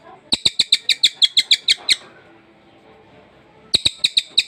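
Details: Recently acquired caged sultan tit singing: a burst of about eleven quick, sharp chirps, a pause of nearly two seconds, then another rapid chirp series.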